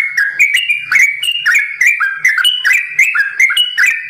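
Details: Sooty-headed bulbul, bird-farm singer, in long 'ropel' song with 'simbar jati' variation: quick, liquid, bouncing whistled notes alternating high and low in a tight rhythm.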